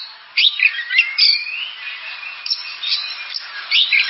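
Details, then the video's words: Oriental magpie-robin phrases: scratchy notes followed by a long, thin, level whistle held for over a second, then scattered sharp chips and a final burst of chatter. "Suara burung kacer"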